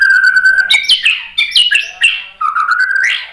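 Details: White-rumped shama song played to stir other birds into song: rich, varied whistled phrases with rising and falling slurs, loud and continuous.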